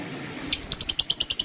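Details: Green and blue lovebirds in the morning: silence, then a fast series of about ten sharp, high chirps repeated roughly every tenth of a second.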